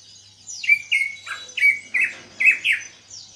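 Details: Caged greater green leafbird, kept two months after a heavy molt and only now starting to sing, gives loud whistled notes. Each note slides steeply down, then holds a short level tone, about six phrases in three seconds, indoors.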